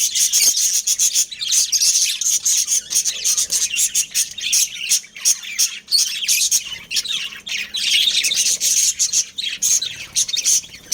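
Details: Budgies from a breeding pair chirping nonstop: loud, bright twittering and fast scratchy warbles tumbling together, with only brief gaps.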